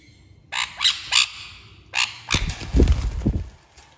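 A sun conure gives four harsh, piercing screeches in quick succession.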